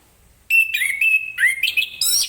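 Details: Orange-headed thrush singing clear and open in the morning, a song meant to set other birds singing: bright whistled notes near a steady pitch, then a quick rising and falling jumble of varied phrases.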